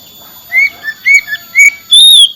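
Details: Oriental magpie-robin, a kacer, singing: spaced clear whistled notes around mid-high pitch, some slurred upward, ending in a longer bright whistle, with quiet background.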